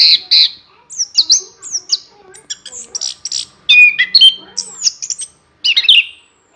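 An Orange-headed thrush sings a rapid, continuous run of high, varied phrases: sweet slurred whistles mixed with squeaky, scratchy notes, broken by brief pauses.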